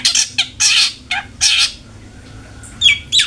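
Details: Long-tailed shrike lure recording for a kept bird: loud scratchy, grating notes in a quick cluster, a short pause, then two sharper chirped calls.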